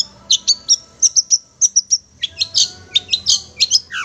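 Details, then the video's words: Long-tailed shrike (cendet) tutor recording: a pause-filled sequence of thin, high, pure whistled notes, then denser scratchy chirps, ending with a short falling slur. "masteran burung cendet"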